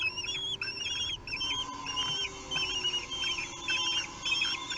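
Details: Three-week-old common kestrel young at a meal in Théding, France, on 8 June 2021 give quick series of high, wobbling squeals, roughly two per second, that overlap and sound insistent over a constant low hum.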